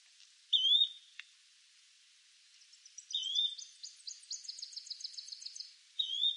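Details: Yellow-bellied flycatcher (Empidonax flaviventris) of eastern North America giving short, slurred two-part notes, repeated every few seconds.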